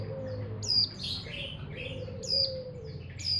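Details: Untrained pet pleci montanus, the mountain white-eye, uttering bright high chirps with buzzy lower fragments in between, a faint low wavering note behind, home background hum.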